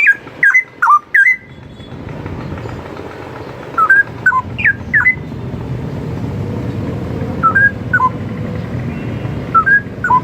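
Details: Straw-headed bulbul singing a training song for other birds. Short slurred chirping notes come in small clusters every second or two over a steady low background rumble.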